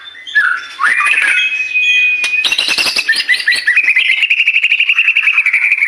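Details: White-rumped shama song meant to prompt birds into singing: loud rising whistled phrases, a burst of harsh rattling notes, then a long fast trill of repeated chirps held at an even pitch.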